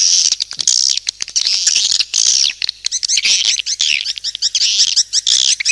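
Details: Lure calling of swiftlets, long high chirping runs that break into faster choppy twitters and descending squeaks.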